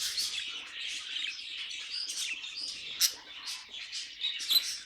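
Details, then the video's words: Pet budgies singing: a bright, chattering warble with rising squeaks and a few sharp high chips standing out above the steady twitter of the flock. "Budgies Singing and Being Cute"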